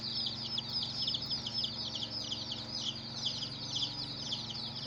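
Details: A group of baby chickens peeping nonstop, bright high-pitched chirps tumbling over one another in a dense, continuous stream over a faint low drone.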